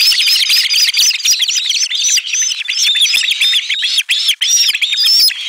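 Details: Osprey chicks at a nest, 18 July 2022, screaming together in a loud chorus as a fish is delivered: a dense run of high, shrill, rising and falling squeals with barely a pause.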